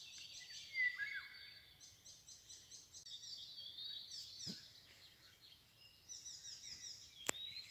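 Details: Eurasian golden oriole song recorded on 24 May 2022 at Anklamer Stadtbruch, Germany: one brief, fluting, looping phrase, rich and mellow, among a busy chorus of thin, high chirps from other small birds.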